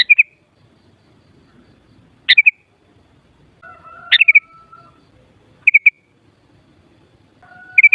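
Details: Sooty-headed bulbul song played to provoke bulbuls into singing in reply: crisp whistled phrases of three or four quick notes, repeated every one to two seconds, with faint level lower whistles behind them.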